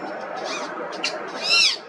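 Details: Indian ringneck parrot giving short, high, harmonic screechy calls, the loudest one near the end, over a constant broadband hiss.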